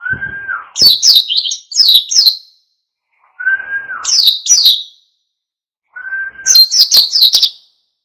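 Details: Oriental white-eye in ngalas song, played to rouse other birds into singing: three phrases, each opening with a steady lower whistled note followed by a quick burst of sharp, high twittering chirps, separated by short silences.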